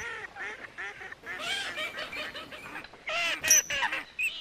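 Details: Rapid run of short nasal honks from coot, about four per second, joined by louder harsh overlapping calls.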